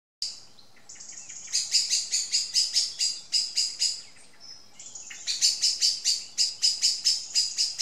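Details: An angry Common Blackbird scolds two juvenile Tawny owls with sharp, high chinking alarm notes, about two per second, in two long insistent runs separated by a brief pause.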